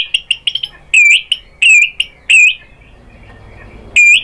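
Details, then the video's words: White-rumped shama lure song aimed at getting other shamas to respond: quick chips followed by loud, pure whistled notes with upturned ends, given in a slow series, then a quiet gap before one more whistle. "pancingan AMPUH ‼️ MURAI BATU manapun jadi NYAUT ikut GACOR BONGKAR MATERI ISIAN"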